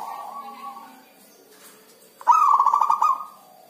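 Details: Captive zebra dove in the rainy season, a time it seldom sings: a soft low coo first, then after a pause a loud, fast rattling coo-trill lasting about a second before fading.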